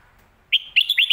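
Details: Red-whiskered bulbul giving part of a 'lak wai' or 'mae bot' style song. A held whistle is followed by three quick, clear, bouncing notes after a brief silence.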